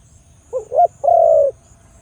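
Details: One complete phrase from a loud Khmer dove: two quick upswept notes leading into a single drawn-out, steady mellow coo.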